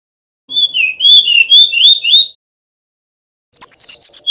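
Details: Male Brown-chested jungle flycatcher from Bali singing a loud, fluting phrase of wavering high whistles, a two-second burst, then a pause and a shorter, descending whistled run.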